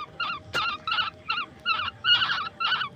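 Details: Baby koel and yellow birds begging at a night feeding indoors, fed grasshoppers: bursts of buzzy, wavering chirps in short clusters, with a sharp click partway through and quiet gaps between bursts.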